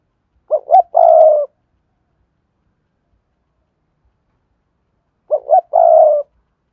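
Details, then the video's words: Spotted dove coo phrase used as a lure call to stimulate decoy and wild doves. A pair of quick, low hoots runs into a sustained mellow coo, and the whole phrase repeats after about four seconds of silence. "Tiếng cu gáy cườm sa thúc + gù + gáy gọi kích bổi"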